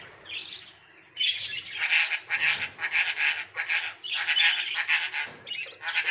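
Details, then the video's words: Hungry nestlings calling from the nest as they try to get out: a near-continuous chorus of raspy, pulsing begging calls, several chicks overlapping in rapid rhythmic bursts. "Bird babies are hungry and trying to came out of nest"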